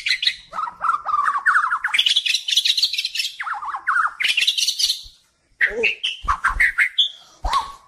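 White-rumped shama singing a rich, varied song of rapid warbled phrases, trills and sharp whistles, pausing briefly before a burst of mixed notes.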